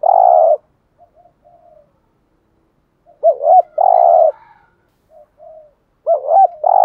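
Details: Decoy spotted dove cooing in the 'thúc gù' style used to lure wild doves, three phrases, each a quavering double-humped coo joined to a sustained throbbing note, with quiet soft notes between.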